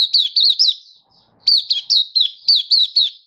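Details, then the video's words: Malaysian white-eye, Singapore, sunny warm day, 20 March 2023: two quick volleys of piercing, high, slurred chirps, roughly four to five notes each, split by a short quiet gap. "Malaysian Mata Puteh Happy Buka Sing"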